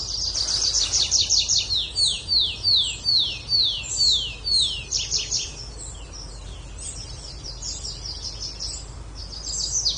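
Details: A bird repeats a clear, high, downward-sweeping note about two to three times a second in a steady series that gradually fades, with fainter chirps afterward.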